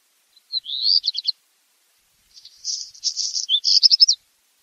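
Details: Black redstart: a rising whistle breaking into quick notes, a gap, then a dry scratchy crackle closing with a rapid burst of short high notes; quiet surroundings.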